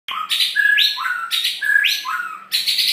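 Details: Long-tailed white-rumped shama singing in full, lively gacor style with isian filler phrases: steady whistled notes alternating with bright, buzzy bursts, repeated in two similar phrases, then a fresh loud burst at the end.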